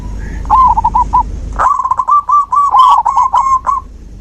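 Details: Song of a zebra dove, played to encourage a dove that has stopped singing; a short stuttering phrase, then a long rapid string of bright, trilled coo notes, with a quieter second dove behind.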